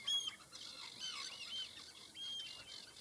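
Common sandpiper giving thin, high whistled notes, several spaced across three seconds, over a busy background of chirping and rushing noise.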